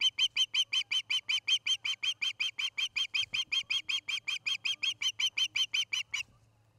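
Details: Osprey at a Charlo, Montana nest, on a nest camera on an August evening: a long, steady string of around thirty shrill whistled chirps, each sharply repeated about three times a second for six seconds, over a faint low hum.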